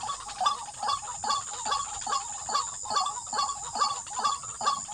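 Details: Waterhen recorded at a trapping site, louder and close, giving rhythmic grating clucks about every half second, with a persistent shrill insect buzz in the background.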